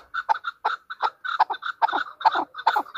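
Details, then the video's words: Chukar partridge, known as chakor and the national bird of Pakistan, kept as a hunter bird, giving rapid, repeated chuckling notes in quick pairs, about two to three bursts each second. "Pakistan National bird chakor ki awaz | Hunter chukar voices | Hunter Chukar sound"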